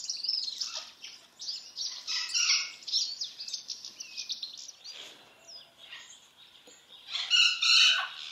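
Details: White-browed woodswallows, a pair housed in a large open aviary, feeding on mealworms; rapid high twittering and scratchy chatter, about three notes a second, with a louder harsh burst at the end.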